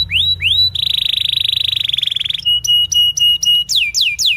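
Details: Canary training song for young birds: rising upslurred whistles, a long rapid rolled trill, crisp repeated clicking notes, then sharp descending swoops.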